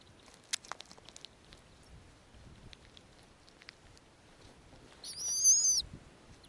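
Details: Nesting female snowy owl feeding tiny owlets in the Arctic. Scattered ticks and clicks come first, then one high, slightly quavering whistled call near the end.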